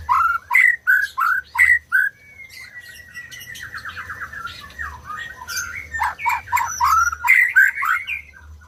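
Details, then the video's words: {'caption': 'Song of a white-rumped shama used to get silent birds singing: loud downslurred whistles repeated about three times a second, a soft rattling middle passage, then more rapid emphatic whistled phrases.'} "SUARA MURAI BATU BUAT BURUNG MACET BUNYI"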